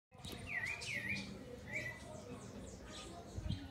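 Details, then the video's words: Sabiá singing live in the late afternoon: clear whistled phrases that dip and rise, repeated a few times, with a man speaking and faint rustling underneath. "CANTO DO SABIÁ AO VIVO"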